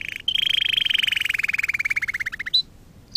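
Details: Canary song for training canaries: a fast rolling trill of rapid repeated notes that slowly drops in pitch for over two seconds, ending in a short high whistle and a clipped note.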